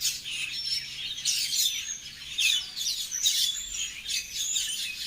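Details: Birds chirp in high, clipped notes with short thin whistles, in irregular bursts a little over once per second.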